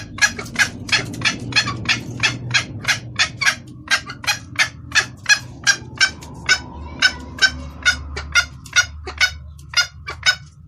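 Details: Female junglefowl calling to a male, clear lure call: about thirty quick, dry clucks in a fairly even series, three per second, with background hum and a faint steady tone midway.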